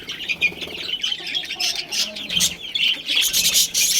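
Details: Budgerigars, a breeding pair in a colony, chirp in a dense, continuous chatter of warbling, buzzy notes concentrated high in pitch, many birds overlapping with scattered sharper squawks.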